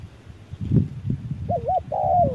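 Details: Spotted dove answering an electronic decoy during harsh midday sun: after rustling and low background noise, two short tonal coo phrases arrive, the first wavering up and down, the second a level note sliding gently lower.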